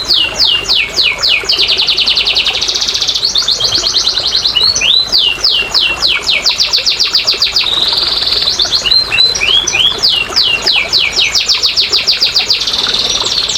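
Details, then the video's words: Domestic canary singing, used as a lure to get lazy canaries singing: fast repeated trill phrases alternating with rich rolling tours and bright swooping whistles, continuous and loud throughout. "TERAPI & PANCINGAN BURUNG KENARI MALAS BUNYI"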